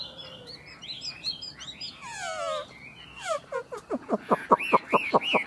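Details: Chinese hwamei in a caged singing duel between two birds. Varied phrases open the song, then come drawn-out descending harmonic notes, followed by a quickening series of sharp, repeated down-slurred strokes.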